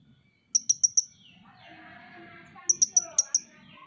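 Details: A Van Hasselt's sunbird (Leptocoma sperata), a songbird kept by many enthusiasts, delivers two rapid bursts of piercing high ticks, four and five notes. A soft, busy twittering of smaller notes plays between the bursts.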